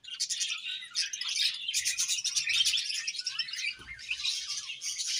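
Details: A colony of budgerigars chirping, a steady busy mass of high twittering, warbling and scratchy chirps from many birds at once, with a faint low knock near the middle.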